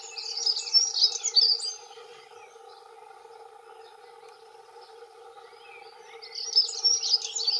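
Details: Territorial song of a male dunnock, one of two present: a brief, fast squeaky warble of about two seconds, a quiet gap with low hum, then another rapid high jingling phrase.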